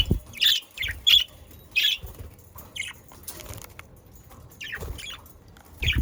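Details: Pet budgerigars from South Holland, Netherlands, give a cluster of harsh squawky chirps at the start, then scattered softer notes with low knocks and rustling in between.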